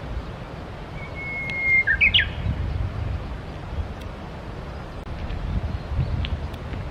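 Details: Japanese bush warbler singing along the Tsurumi River: a level whistled note held for about a second, then a burst of quick, higher warbled notes falling away. Low rumbling noise continues throughout.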